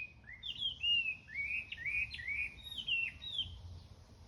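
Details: Morning birdsong as a continuous run of clear whistled phrases, each sliding up and down, following one another quickly for about four seconds over faint low background noise.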